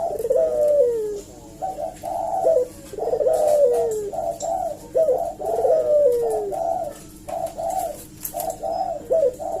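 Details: Eurasian collared dove lure call meant to draw a reply from other doves. Busy, rolling cooing runs on almost without pause, with repeated throaty coos and long downward-sliding notes every couple of seconds.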